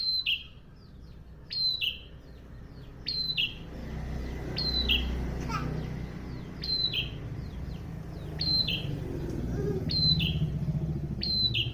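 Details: Chattering prinia repeating its two-part phrase of a high note and a lower buzz around eight times. The calls come against rising low rumbling background noise and a brief clatter midway.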